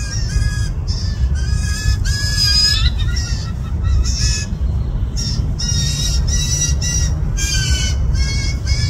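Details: Hungry young blue jays in a yard, June 20, 2024, at least two fledglings wanting parents to feed them: long run of scratchy, buzzy squawks with rich overtones, nearly continuous with short gaps, over a low background hum.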